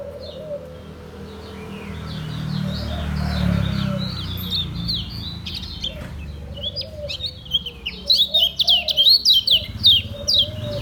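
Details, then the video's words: Ngejos selow song of a caged lemon-bellied white-eye from Lombok: quiet scattered high twitters that swell into a rapid string of loud down-slurred chirps, over a low rumbling background and soft low wavering notes. "SUARA KECIAL KUNING LOMBOK NGEJOS SELOW"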